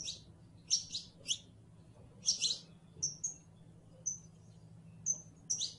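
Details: Saffron finch (canario criollo, Sicalis flaveola) song: sharp, high chirps in short bursts with brief pauses between them, over a steady low hum.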